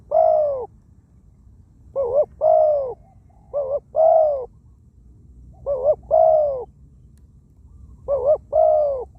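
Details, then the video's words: Wild-caught spotted dove kept as a ground decoy, noted for a small voice and frequent cooing; five phrases, each a quick doubled note then a long drawn-out falling coo, roughly every two seconds over quiet ground. "ต่อนกเขาใหญ่ นกป่าเสียงเล็ก คูเยอะ ชำทำนกต่อได้ตัวนี้ นกเขาใหญ่ต่อดิน เสียงนกเขาใหญ่"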